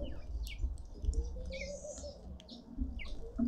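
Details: Feeding red-winged starlings in a Pretoria garden, South Africa, give a few short downward-sliding whistled chirps spread over a few seconds, against a low rumbling background.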